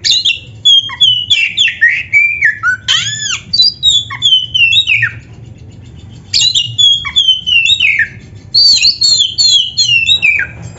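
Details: Oriental magpie-robin, locally kacer, in full-repertoire 'gacor' song meant for training other birds: long dense strophes of loud whistles, down-slurred notes and sharp chips, broken by a short pause, then resumed just as richly.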